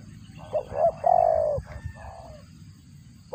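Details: Spotted dove while feeding chicks, call likened to a cricket; a few short rising notes leading into a longer buzzy falling coo, then a softer trailing note, with quiet background.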